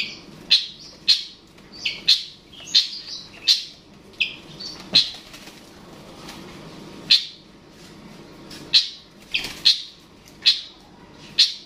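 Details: Long-tailed shrike (cendet/pentet) calling to provoke a rival: sharp harsh chirps around the upper-mid range, delivered singly or in pairs at irregular gaps over roughly twelve seconds.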